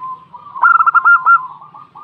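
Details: Female local zebra dove, described as having a sharp, sighing voice. A soft, steady coo swells into one short burst of rapid, clipped notes, then fades back to a low coo.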